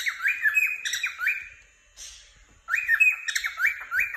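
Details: Happy pet cockatiel chirping indoors: bright, repeated rising-and-falling whistled chirps in quick bursts, a short quiet gap, then another run of lively chirps.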